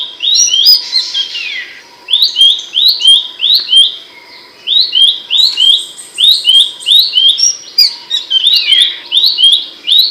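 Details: Ringing, sharp Abbott's babbler song meant for coaching cage birds: a harsh sweeping note opens, then rapid sequences of brisk falling chirps in grouped bursts with brief pauses.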